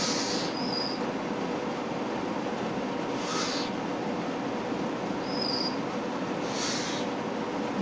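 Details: Young Tengmalm's owl repeating brief hissy, rasping calls at intervals of about three seconds against a constant low hum and background noise.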